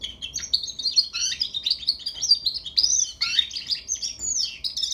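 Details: Juvenile European goldfinch rehearsing song, delivering an unbroken stream of bright, high twitters, quick slurred whistles and occasional lower downward-sweeping notes.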